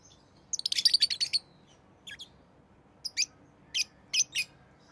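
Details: Rosy-faced lovebird chirping: a fast burst of sharp, high chirps, then scattered single and paired shrill notes separated by short silences.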